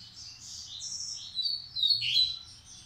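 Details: Breeding male coleiro, Massai versus baiano style, sings smooth warbled notes that build into two louder, sliding chirps near the end.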